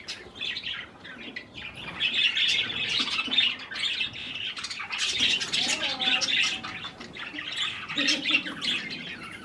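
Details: Budgerigars kept as pets eating cherry tomatoes, chattering continuously with scratchy warbles and squawks, a faint low voice or rustle underneath at times.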